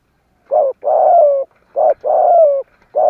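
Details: Caged decoy spotted dove cooing to lure rivals: alternating short full-toned notes and longer drawn-out coos that slide gently downward, repeated roughly every second, loud and close.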